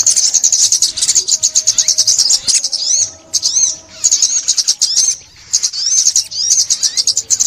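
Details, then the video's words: Sunbird, Vietnam, 2021, recorded for bird trapping: a long, shrill run of rapid twittering notes, then arched slurred phrases and short pauses around three and five seconds. "Tiếng Chim Ốc Mít , Bẫy Chim Ốc Mít 2021"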